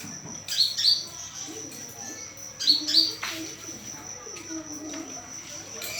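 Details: Olive-backed sunbird calls used as a lure to draw a response: two bursts of sharp, high chirps about two seconds apart, each a quick cluster of notes, over a steady thin insect whine and faint low background murmur.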